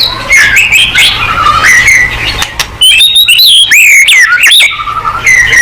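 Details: White-rumped shama song meant to draw a quick singing response: loud, fluid whistled phrases that dip and rise, mixed with squeaky high slurs and short chattered bursts, delivered almost without a break.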